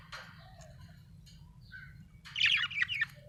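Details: Happy budgie chatter: soft scratchy notes early, then a loud second-long run of rapid, jumbled, twittering warbles with quick pitch jumps before it breaks off.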